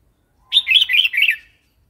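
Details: Red-whiskered bulbul singing a wild-style song, meant for training young and wild-caught birds; one rapid phrase of liquid, bubbling whistled notes lasting about one second, clean and loud.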